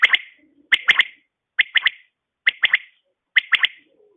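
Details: Morning call of a female quail: crisp clipped notes grouped in quick triplets, each triplet repeated about every 0.9 seconds in a steady series of five, with a faint low note near the end.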